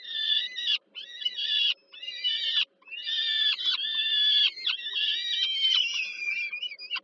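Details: Peregrine falcon chicks at the Żerań thermal power plant in Warsaw, Poland, fed by their mother on the evening of 15 July 2022: insistent, buzzy wailing, first in separate bursts, then in an unbroken stream of rough cries.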